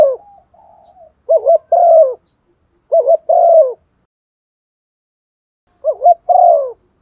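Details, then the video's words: Spotted dove kept as a decoy to provoke other doves into cooing: three paired phrases, each a quick wavering note followed by a longer, soft, hollow coo, separated by silence of one to two seconds. "Chim cu gáy đất thúc gù bài bản/ chim cu mồi giọng bài bản kích là gáy"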